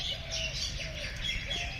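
Rosy starlings in a dense, continuous chatter of overlapping high chirps and squeaks over a low rumble of background noise.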